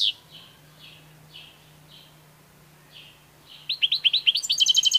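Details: European goldfinch gives soft, spaced chirps over a steady low hum, then a sudden run of rapid rising notes and a fast, bright, buzzy trill at the close.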